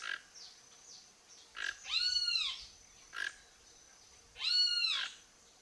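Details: Toco toucan, wild, visiting a home yard looking for food: two raspy, bowed croaks about two and a half seconds apart, each preceded by a brief, dry click.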